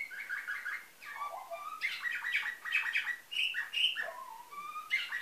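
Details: Bulgarian-bred canary from Varna, 2013, singing in nightingale style: dense, varied warbling that mixes buzzy rolls, quick chirps and short descending whistles with hardly a pause.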